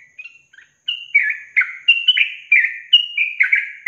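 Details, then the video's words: A yellow-vented bulbul long trill from a songbird training recording opens with a few soft, hesitant notes, then runs into a rapid, steady series of rich, falling whistled chirps. "Masteran Trucukan Ropel Panjang Garuda Tembakan"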